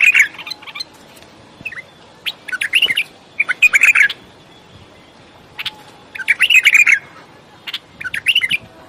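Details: Bulbul singing loud, chattering, warbled phrases in irregular bursts, with quiet gaps and a few isolated sharp notes between them.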